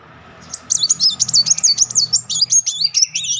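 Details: A Van Hasselt's sunbird delivers a rapid 'nembak' string, a lure for young or silent sunbirds: after a quiet start, a quick series of high, squeaky, twisting notes, about five per second, over a low hum.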